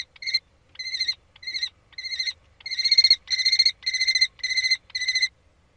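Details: Common kestrel calling during prey transfer on 3 May 2013, in spring: regular harsh, rattling, buzzy bursts of under half a second, about two per second, growing louder and more continuous midway.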